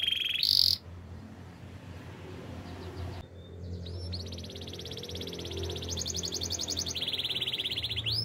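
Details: Canary singing in the wild: a brief loud high buzzy burst, a pause, then a steady run of fast high rolling trills that shift between pitches, over a low background rumble.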